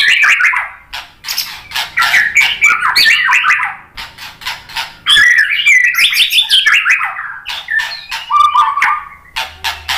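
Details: White-rumped shama song used as a lure for other birds: fast scratchy warbling runs of rising and falling notes, harsh chatter between phrases, delivered in two long bursts.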